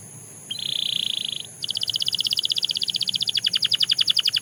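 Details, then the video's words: Belgian canary song: a sustained buzzy note lasting nearly a second, then an accelerating trill of clipped repeated chirps that drops into broader, deeper strokes. A faint constant high hiss is present. "The Most Effective Canary Singing Sound – Belgian Canary Edition"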